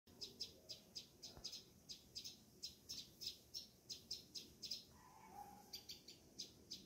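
Green-backed Sparrow giving a steady series of high, dry chip notes, about three a second, with a brief lower whistled note from another bird partway through.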